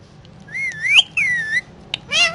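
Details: Indian ringneck parakeet talking as it eats guava, giving a sweeping whistled phrase that rises, dips and rises sharply before a level whistled tail, then a short harsh squawk at the end over faint background hum.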